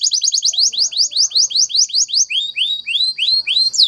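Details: Spanish Timbrado canary training song: a canary sings a rapid, high, metallic trill of quick repeated notes, then slows into a series of sweeping, rising whistles about three per second.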